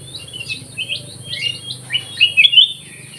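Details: Active black-crested bulbul song from an aviary: a string of quick slurred whistles building to a loud, bright warbled flourish near the end.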